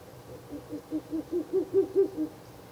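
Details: Rapid, regular hooting from a Ural owl at a nest box on 16 April 2024, at night on the third night of visits: about nine low notes that grow steadily stronger.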